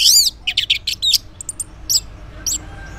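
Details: Orange-headed thrush in the morning, song used as a lure so silent males answer: loud high sweeping whistles and rapid chirpy notes, then scattered sharp notes with pauses.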